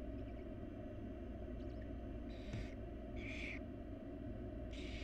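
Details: Barn owl chicks, wild, in a nest box while the mother feeds them: faint soft chitters, then three harsh hissing screeches in quick succession, against a heavy low hum.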